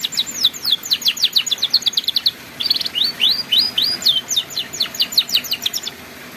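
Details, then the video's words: Canary tutor song for young canaries learning the ngeriwik style: rapid series of high, thin upward-sweeping chirps in quick bursts, almost continuous, over steady background hiss. "MASTERAN BURUNG KENARI PAUD BELAJAR BUNYI NGERIWIK"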